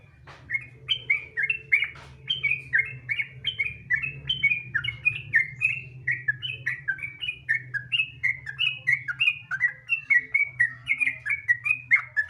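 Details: Long gacor ropel stream from a sooty-headed bulbul, a lure to get other bulbuls singing: lively, continuous warbled whistles with bouncing downslurred notes, the rhythm quick and even throughout, over a steady low background hum.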